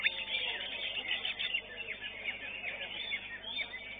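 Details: A greater green leafbird that won first place at a songbird contest pours out a fast, unbroken run of varied chirps, trills and sweeping whistles, with the busy murmur of the contest arena behind it.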